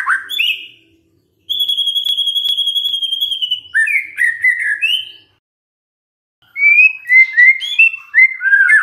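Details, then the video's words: Magpie-robin song used as a lure to make a silent bird answer: a rough opening note, then a long steady high whistle, then rising and falling whistled phrases, a pause, and more quick slurred whistles. "murai BENGONG langsung NYAUT dengar pancingan ini"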